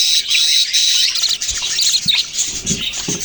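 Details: Flock of budgies in continuous high chatter, quick squawky chirps and warbling notes overlapping densely, a few soft low knocks near the end.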